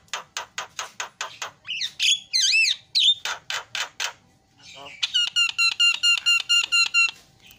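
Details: Asian pied starling in a very noisy, busy song: fast clicks, then warbled whistles and rising slurs, ending in a run of evenly spaced chattering notes repeated rapidly.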